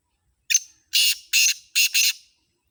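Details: Loud rasping call of a Sindhi black francolin (kala tetar): one brief clipped opening note, then three to four harsh broadband bursts in quick succession. No background noise.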